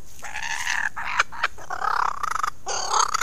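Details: Male lyrebird's early morning performance on 15 July 2018 at Ben Ricketts Environmental Preserve, captured by a motion-sensing wildlife camera: rich, full-toned warbling phrases broken by sharp clicking notes, over a steady background hiss.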